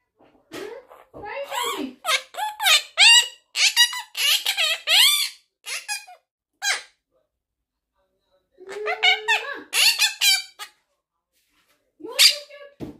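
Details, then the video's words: Pet talking parrot asking what happened: squeaky, high, voice-like phrases with rising and falling tone in a small room, a run of several syllables, a pause of a few seconds, then more short squeaky words. "Talking Parrot Asking What Happened"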